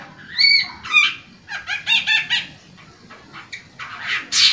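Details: Long-tailed shrike singing hard, used as a lure for quiet or young caged birds: a clear whistled note, then a rapid stuttering series of ringing, slightly nasal notes, ending in harsh scratchy bursts.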